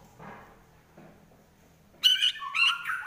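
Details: White-rumped shama in fighting mood with trotol-style song: soft murmurs at first, then two loud, bright, harsh whistled bursts in quick succession near the end.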